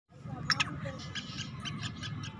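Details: Hand-held partridge calling boldly: two harsh, squawky notes in quick succession, then a run of fainter scratchy calls, over low background noise and murmured voices.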